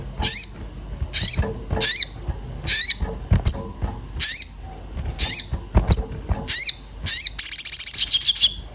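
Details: Orange-bellied flowerpecker in an excited state searching for a mate, used to draw other birds into singing: high, sharp cuit notes repeated roughly every half second to second, ending in a rapid high trill.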